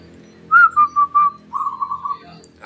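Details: Newly trapped wild local zebra dove starting to sing, giving four ringing coos with a higher first note, followed by a softer, longer wavering phrase, with light background hum.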